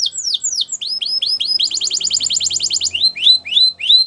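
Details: Belgian canary singing a training song, opening with repeated downward-slurred whistles, then a rapid buzzy trill, and ending with spaced, sharply falling chirps.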